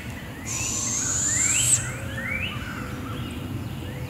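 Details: Barred owl owlets, two young moving tree to tree while their mother brings food, at Devil's Den Campground at 7am; a long hissing high screech rising at its end, with chirps and trills of other forest birds around it.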